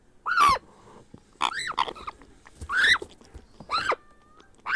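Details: Grey parrot hatchling being hand-fed gives loud, harsh, harmonic begging cries, each swooping up and down, roughly once per second, with soft rustling between.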